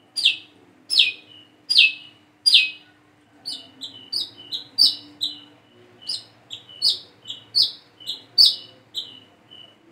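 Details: Practising young Plain-throated sunbird: four loud falling chips open the sequence. They are followed by quicker, softer twittering notes with short rising and flat whistles, over a low hum.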